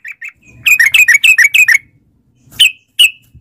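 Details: Yellow-vented bulbul used to make caged birds sing: two soft whistled notes, a quick burst of about six loud, buzzy chirps, then two more isolated chirps.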